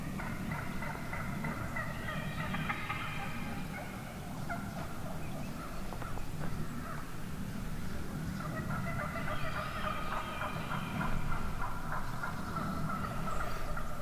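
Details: Many wild turkey hens in a huge morning flock vocalizing together: a continuous jumble of rapid yelps and purrs, rising in two louder bursts, heard over a low background rumble in the woods.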